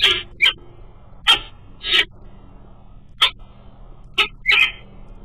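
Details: Adult female peregrine falcon at the nest, calling to her mate after he flies by, morning nest-camera recording: short, hoarse, rasping notes spaced irregularly, roughly one a second, over a quiet low hum.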